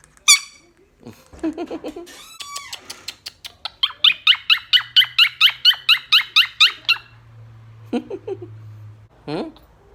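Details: Blue Quaker parrot calling to its friends: scattered squeaks and a short burst open, then a long run of quick harsh repeated squawks in the middle, followed by a few lower squeaky notes near the end.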